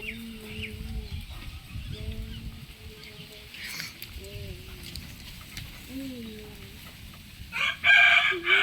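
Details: A rooster gives a loud, harsh, strained crow near the end, after a run of lower drawn-out tones and soft clucking notes.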